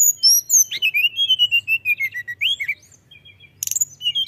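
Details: Lively mountain tailorbird song of thin sliding whistles running one into the next, a short pause, then a sharp rattle and renewed high notes, with a faint hum underneath.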